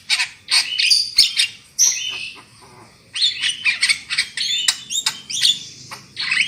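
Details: Black-winged myna song played as a lure so birds sing loudly, made of rapid harsh chatter and rasping bursts with whistled slurs woven in, in two long dense phrases.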